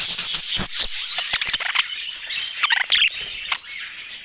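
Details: Pet budgerigars give a hissy, scratchy stream of chirps and warbled squeaks with some clicks and knocks mixed in.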